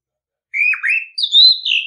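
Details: Orange-headed thrush singing, used to prompt other birds into song: one continuous whistled phrase, a dipping slurred note followed by a higher, sustained warble that wavers and falls at the end.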